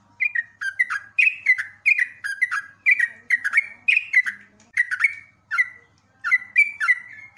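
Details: Repeated bubbly whistles of a sooty-headed bulbul, recorded as training song for cage birds; phrases of two or three quick notes follow one another almost without pause, with a brief gap near the end.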